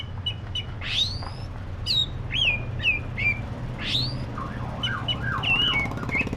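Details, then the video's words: Black-breasted oriental magpie-robin giving rising sweeps and falling whistles, then a softer run of wavering lower notes, with a continuous low hum throughout. "SUARA BURUNG KACER (DADA HITAM)"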